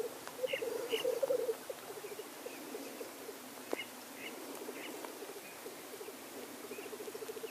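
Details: Black grouse males displaying at the lek: a continuous bubbling, rolling coo of fast low pulses, loud at the start, then softer runs, broken by short hissing sneezes.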